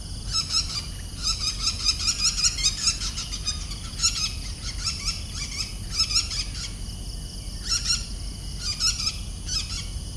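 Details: Lesser golden-backed woodpecker at Punggol 17th Ave, Singapore, feeding young: bursts of high, squeaky chattering notes, some rapid and some spaced a second or two apart, over a steady low rumble of traffic.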